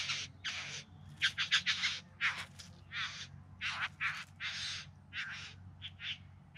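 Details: Bowerbird singing during courtship display in the Yarra Valley outside Melbourne, September 2020: a rapid series of harsh, buzzy rasping bursts with mechanical crackling notes, irregularly spaced, over steady low background hum.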